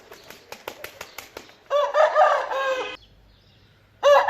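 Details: Rooster from a compilation of varied rooster crowing: a run of sharp clicks or wing-flaps, then one loud, harmonic, wavering crow of about one second, and a second crow starting near the end.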